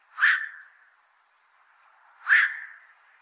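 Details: Black-crowned night heron giving two harsh, abrupt barking calls about two seconds apart, each a short rasping burst with a brief trailing tail, over a quiet faint background hum.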